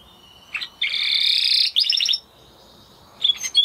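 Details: Spanish Timbrado canary, the original breed described as closest relative of the wild canary, singing: a short note, then a dense buzzy trill, a fast rippling run of notes and a brief high phrase after a pause.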